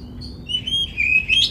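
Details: Brief phrase from an Oriental magpie-robin in strong song, used to stir other magpie-robins to sing and open their tails: a long, level whistle sliding slightly down, then a rising twittered flourish.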